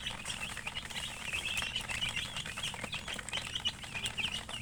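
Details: Young chickens chirping in a group, softer high peeps with wavering rises and falls, continuous and overlapping, light clicks and rustling underneath.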